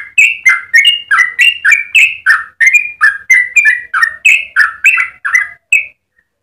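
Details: Long rapid song of a yellow-vented bulbul, a recording meant for training other birds. About seventeen loud, gurgling two-part notes pour out in steady quick succession before the bird stops near the end.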